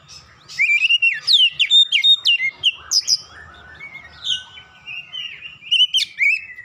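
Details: Oriental magpie-robin song used as a lure to prompt other birds to sing: lively, rapid strings of sweeping whistles and chips, a quieter chattering stretch, then another loud burst of varied notes.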